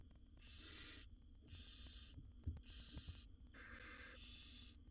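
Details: Begging of wild barn owl chicks, a brood of seven fed by the mother in a nest box: five breathy, rasping hisses, each near a second long, in quick succession, with faint knocks and a constant low hum.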